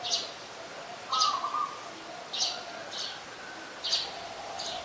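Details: Streak-eared bulbul, a very common resident, recorded in Ubon Ratchathani, Thailand, on 2 January 2021: short bright chirps repeated about every second, with a steady mid-pitched whistle from another bird near the start and a faint background hiss.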